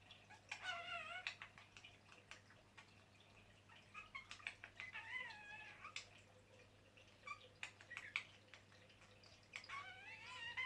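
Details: Hand-tamed pet budgerigars playing happily chatter in warbled, wavering bursts mixed with sharp clicks and squeaks.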